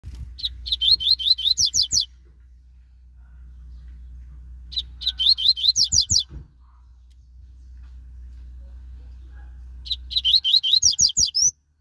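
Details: Double-collared seedeater, a caged bird taken out for a walk, singing fast bursts of sharp, high, slurred whistled notes, three phrases about four seconds apart, with low thumps and a steady hum between phrases.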